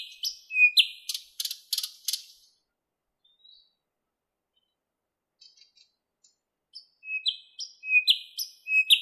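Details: Moscow park thrush nightingale, recorded 11 May 2016 at 08:15 on a Panasonic Lumix camera with a Tascam microphone: a burst of repeated clicks and whistles, a pause with scattered soft notes, then another run of rising whistled elements.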